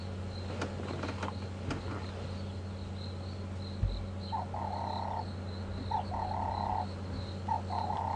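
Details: One of two Cape Turtle Doves perched right overhead, during a safari drive on Jan 14, 2015, with a leopard nearby, gives short bursts of mid-pitched cooing about every second, over a steady low engine hum and a thin insect buzz.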